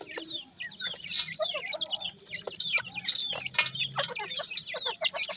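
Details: Young Grey francolin chicks calling together, many thin descending cheeps tumbling over one another almost continuously, with brief louder bursts and faint low clucking sounds in the background.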